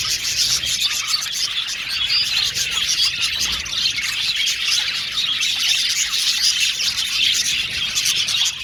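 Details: Aviary-kept male budgerigars, blue and violet, chirp and warble as a colony; overlapping high tweets, squeaks and scratchy chatter run without break at a constant level.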